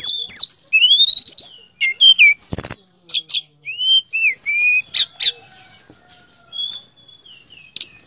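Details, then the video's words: Shortwing (tledekan pring) in lively 'gacor' song, 'nembak dan ngerol' style: quick series of clear whistled slurs and upward sweeps mixed with sharp high clicks and a brief burst of noise, phrases tumbling rapidly with short gaps. "Terapi BURUNG TLEDEKAN PRING gacor nembak dan ngerol"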